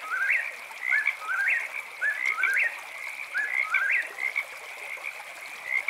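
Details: Eastern whip-poor-will calling at night, a steady series of rising, whistled three-part phrases about once per second, with a persistent high-pitched chorus humming underneath.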